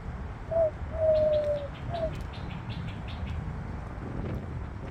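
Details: Morning bird song: a short coo, then a long, even cooing note and another brief coo, followed by faint high chirps against a constant low background hum.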